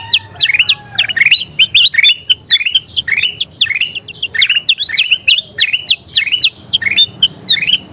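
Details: Bulbul known locally as kutilang emas, singing energetically as training material for songbirds: a steady run of clear, rising whistled notes in rapid, evenly spaced phrases over eight seconds, with a quiet background hum.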